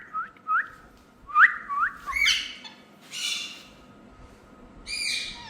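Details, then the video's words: Indian ringneck parakeets in a talking group: short, upward-flicking whistled chirps in quick succession, then louder rasping, harmonic squawks separated by brief pauses. "Parrots Group All Talking"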